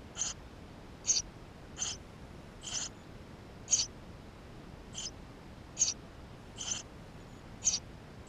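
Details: Eurasian tree sparrow chicks calling from within their nest, captured with a GoPro; nine sharp, high-pitched squeaks arrive roughly once a second, each brief and thin, with faint steady hiss beneath.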